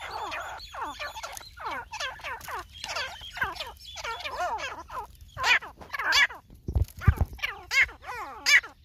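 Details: Grey francolin (Irani teetar), a pair calling: loud, harsh, harmonic notes repeated in quick rising-and-falling phrases, over a steady low hum.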